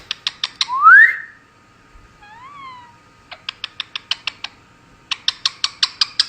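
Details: Pet female Indian ringneck parakeet giving kisses and making cute noises: bursts of sharp, evenly spaced smacking clicks about four per second, broken by a rising squeaky whistle and a soft wavering whine.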